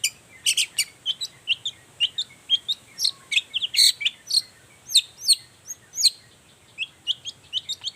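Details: Long-tailed shrike in busy morning song, meant to draw answering song from other shrikes; a varied, fast medley of high chirps, slurred whistles and chips, tumbling continuously with changing pitch.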